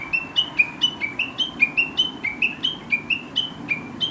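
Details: Chinese hwamei in rural Japan, heard each morning, its chattering song likened to talking; a fast series of about sixteen short whistled notes, each sliding and clipped, repeated steadily several per second with slight pitch shifts.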